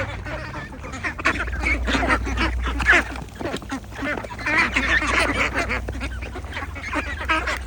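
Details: Flock of ducks with ducklings at Agidel on a farm, calling constantly: harsh, overlapping quacks in quick bursts, louder surges near the middle and end, with a low background hum.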